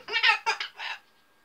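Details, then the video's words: A 10-year-old female umbrella cockatoo, which swears when it gets loud or she dislikes something, blurts three or four quick, raspy, voice-like syllables within a second, high and nasal like shrill human speech, in a quiet room. "The Cussing Cockatoo"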